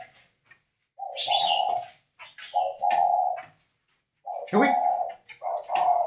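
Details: Spotted dove from northern Vietnam, kept indoors, giving the 'khách' style of cooing: three low, hollow coo phrases separated by short silences, with faint clicks and a person speaking just afterwards.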